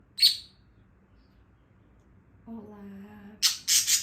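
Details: Angry budgerigar giving one sharp, harsh screech, then after a short human spoken phrase a quick burst of three rasping, broadband squawks near the end.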